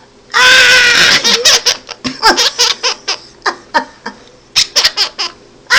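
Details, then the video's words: A male monk parakeet (Quaker parrot) opens with a loud, harsh burst, then gives a baby-like giggle in about a dozen short, choppy, bright pulses over four seconds, his response to a noise his owner made. "BIRD GIGGLES LIKE A BABY!"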